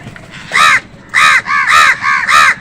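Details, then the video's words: Crow fighting with other wild birds for food, giving five harsh, nasal caws in quick succession, each about a quarter second long, the last four closely spaced, over quiet background. "কাকের ডাক crow sound"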